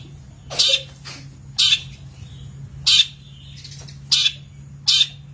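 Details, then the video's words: Long-tailed shrike, master recording for training birds, uttering loud harsh grating squawks roughly every second, over a steady low hum. "Masteran Cendet / Kicau Cendet"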